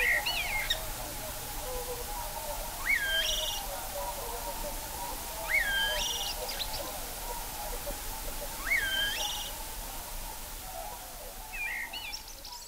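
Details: Common blackbird singing at Kloostri, Läänemaa, in early March 2020: short phrases about every three seconds, each a rising whistled note followed by a high, squeaky twitter, over a steady low hum.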